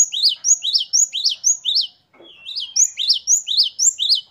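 Great tit singing rapid, high, ringing two-note phrases, about two per second, with a short pause midway before the phrases resume.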